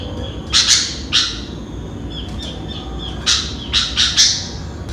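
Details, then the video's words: ['Harsh, buzzy squawks from a sooty-headed bulbul singing at dawn, in two clusters: a pair near the start, then a rapid run of four, with soft thin notes between and quiet hum behind.'] "Burung Kutilang atau Burung Gentilang Berbunyi dan Bernyanyi di Pagi Hari"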